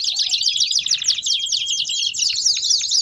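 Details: Many canaries singing together in a dense baderna chorus, meant to warm up other canaries: overlapping fast high trills and rising whistled notes pour out without pause. A steady clear whistle runs underneath.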